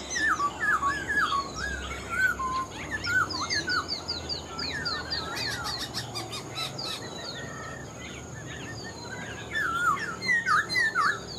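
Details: Caged Black-throated laughingthrush, an old bird taken from the wild and praised for its good singing: a busy stream of zigzag whistled phrases, with rapid clicking bursts midway and a steady high background hiss.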